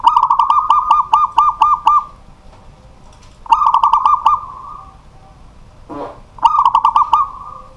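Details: At night, a local zebra dove kept as a pet sings despite household bustle: three phrases of quick, stuttering coo notes that trail into a sustained purr, with a brief rustle between phrases.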